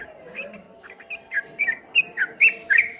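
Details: Streak-eared bulbul song, 'ropel ngombak banyu' type: soft wavering whistled notes that grow louder and quicker over three seconds, ending in stronger rolling phrases, with low hum behind.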